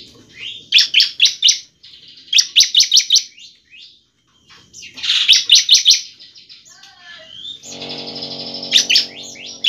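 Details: Semi-active ('semi gacor') bar-winged prinia song meant to provoke other prinias into singing: quick runs of piercing high chips alternating with buzzy slurs, with a faint low hum near the end.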